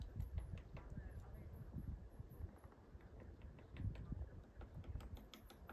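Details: Acorn woodpecker tapping on a tree branch in summer 2023, with irregular sharp knocks, several per second at times, over a low rumble of wind and a faint high steady hiss.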